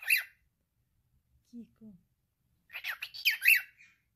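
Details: Talking pet male cockatiel: a brief harsh syllable, two soft low murmurs, then a rapid run of rasping, speech-like chatter notes.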